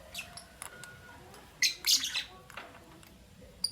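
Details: Albino and Euwing green opaline lovebirds chirping in the morning: a few thin scattered tweets, then a loud burst of rasping high chirps in the middle, and a final sharp squeak.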